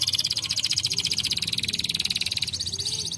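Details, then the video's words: Canary song: a fast, continuous buzzy trill of high-pitched pulses, about four per second's fraction, rolling steadily for three seconds with a faint low hum beneath. "kanaries hebben deze kanarie direct gehoord"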